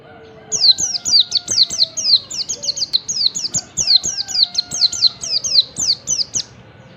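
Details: Oriental white-eye, yellow-breasted and wild, singing on a morning in July 2021 as a trigger for other white-eyes. A long, lively stream of high slurred chirps runs for about six seconds over soft background hum.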